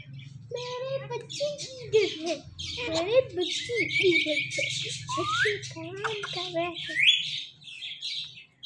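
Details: Two pet talking parrots producing speech-like babble with wavering voiced syllables mixed with sharp whistles and squawks, over a steady low background hum.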